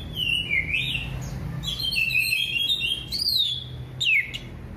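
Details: Orange-headed thrush singing, its song used to coax other birds that have stopped singing: loud slurred whistles sweeping down and up, several phrases with sharp high notes, low background hum.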